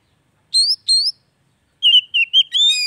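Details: Oriental magpie-robin song for rousing a silent bird: two high upslurred chirps, then a quick run of whistled notes ending in a richer sustained note.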